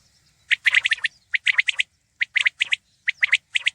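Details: Loud, clean batair calls: a Common quail repeating bright, abrupt three-note phrases in quick succession, each phrase a tight burst of clicking syllables with brief silences between.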